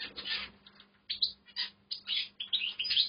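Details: Caged in an aviary, a goldfinch beginning its song gives short, bright, chattering twitters in quick clusters, with brief gaps between bursts.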